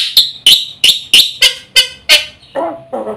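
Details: Black-winged myna giving loud, harsh, rasping notes spaced about a third of a second apart, part of a fast full song meant to lure silent birds into singing, ending in lower chattering.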